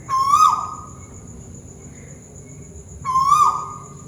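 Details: Tuwu bird from Malaysia calling above: two clear whistled notes three seconds apart, each swelling up, holding level and sliding down at the end, with a faint constant high tone and low rumble between.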